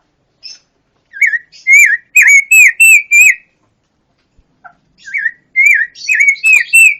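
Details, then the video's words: Pancawarna, a colourful songbird singing very actively and noisily: a brief high note, then a run of loud, clear, rising-and-falling whistles repeated about three times a second, a pause, and another burst of bright whistled phrases. "Masteran burung pancawarna// gacor super brisik"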